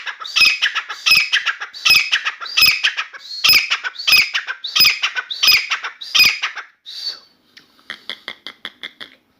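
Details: Grey francolin kept indoors singing continuously: harsh, loud notes repeated in a steady series about every 0.7 seconds, then a brief pause and a run of quieter, rapid clicking notes.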